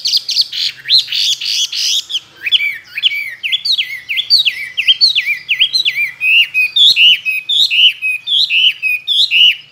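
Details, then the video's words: Chinese hwamei, caged two years and tame, with many forest voices for competition singing: a bright opening flourish followed by a steady series of looping whistled notes, roughly two per second, varying in pitch. "Họa mi thuần nhiều giọng rừng,chim đấu hót tốt"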